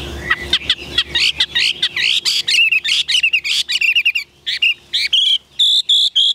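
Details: Caged Chinese hwamei, a bird kept in Vietnam, singing a rapid, varied run of loud whistled phrases, sliding and warbling notes and quick chirps, nearly continuous over six seconds with brief pauses between bursts.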